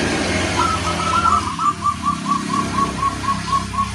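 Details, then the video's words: Local wild zebra dove singing, kept as a tutor recording: a run of about a dozen short, even cooing notes repeated roughly five per second at one pitch, over steady engine-like rumble and background noise. "Suara sang masteran burung perkutut lokal alam"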